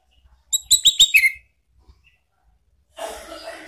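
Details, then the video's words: Captive Orange-headed thrush, its song used as a lure to prompt other birds to answer, gives a quick run of about six sharp, ringing notes ending in a falling slur, followed by a soft rustling hiss. "jangan heran kalau ANIS MERAH mu seketika NYAUT ¦ PANCINGAN NGEPLONG ¦KICAUAN"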